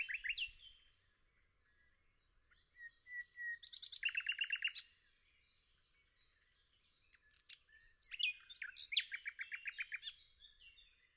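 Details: In a forest, a nightingale alternates phrases: opening sharp notes, a quiet pause, a long soft whistle, then a loud rapid stutter of repeated notes; after silence, a varied burst of chirps and quick trills.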